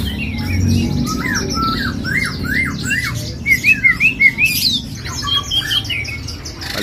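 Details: A caged White-crested laughingthrush (Garrulax leucolophus) at a bird-market kiosk in West Jakarta sings loud, rapid bursts of rising and falling whistled and squawky notes, several per second, over low background rumble and a hint of music.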